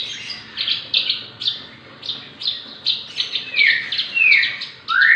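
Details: A six-month-old Javan bush lark in full song, a bird suited for tutoring or prompting others. Buzzy high chirps repeated irregularly, later joined by loud rising-falling slurred whistles at a lower pitch.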